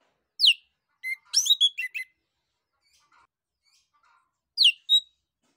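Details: Orange-headed thrush (anis kembang) singing in the open, continuous ngeplong style, used to prompt other birds to sing: a sharp descending high whistle, a cluster of rapid varied chirps and trills, a pause, then two more bright notes.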